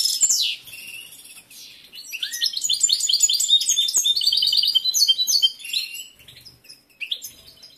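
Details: Caged male goldfinch in full breeding condition, praised for his large repertoire, opens with a high slurred note, then pours out a dense, rapid twittering song of tinkling chirps before trailing off into scattered softer notes.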